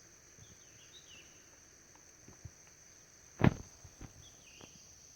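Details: Two White-bellied woodpeckers (Dryocopus javensis) search for food in a tree trunk deep in forest. One sharp, loud knock is followed by a few softer, scattered taps, over a steady high insect drone and faint distant bird whistles.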